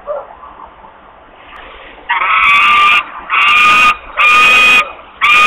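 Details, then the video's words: Hungry osprey in Włocławek, Poland, screaming for food on 8 August 2021 at 13:48. After a quiet start, four loud, harsh, drawn-out screams come in a steady run, each about half a second long. "long screams for food"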